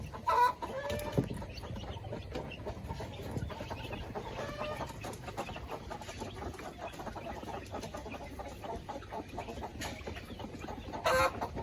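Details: Village chickens housed in coops with laying hens, clucking steadily as feed is given, with a loud squawk near the start and another near the end over low humming noise.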